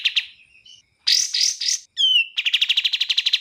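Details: Bar-winged prinia (kapas tembak) training song at a rapid pace: two short notes and soft whistles, harsh high rasping bursts, a falling whistle, then a fast run of repeated buzzy notes.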